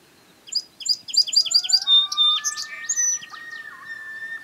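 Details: Song sparrow (Melospiza melodia) singing at a campsite in the Boundary Waters Canoe Area in July 2013: quick bright repeated chips running into jumbled notes and a trill, with long rising wails from a family of loons beneath.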